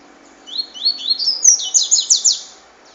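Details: A single clear cachoeira phrase from a double-collared seedeater: a string of rising then falling high whistled slurs that builds into rapid, strident buzzy notes over two seconds.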